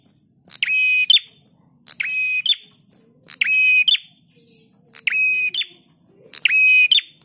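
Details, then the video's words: Master recording of a lively singing prinia for training cage birds: five rasping, metallic buzzes, each ending in a short bright flick, spaced roughly every 1.3 seconds, with only faint low murmur behind. "Masteran Prenjak Tamu GACOR"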